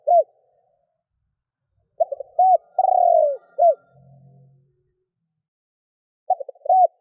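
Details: Calling spotted dove used to provoke wild doves. An opening hoot, then a full phrase of stuttering notes, a long rolling descending coo and a final hoot, with a faint low hum after it. The next phrase begins at the end.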